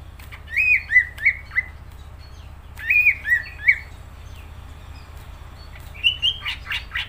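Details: Greater green leafbird in full, lively song: two clustered phrases of three clear, slurred whistles, each note bending down then up. A brief pause follows, then a buzzier, rising note with scratchy clicks at the close. Low hum underneath.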